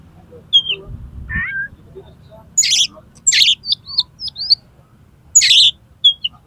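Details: Oriental magpie-robin singing 'konslet' style to make another magpie-robin fan its tail: harsh buzzy rasping bursts alternate with clear, short, high whistled slurs, and a brief low thump early on.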